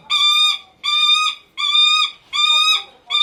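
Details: Captive Lanner falcon in a Kakegawa, Japan bird park calling for its keeper's attention; four and a half drawn-out, rasping cries, each about half a second long with short gaps, steady in pitch and rich in overtones.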